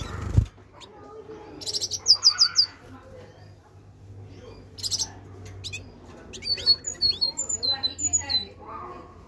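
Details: Captive-bred great tit in a cage giving short bursts of rapid, high whistled notes, separated by quieter stretches with a person talking and a soft knock at the start.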